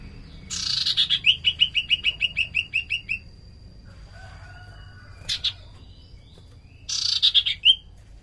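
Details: Common iora (sirtu cipoh) singing vigorously, recorded as a lure for other birds: a fast run of about fifteen clear descending notes, then a pause, a short buzzy burst, and a final quick trill of rising notes.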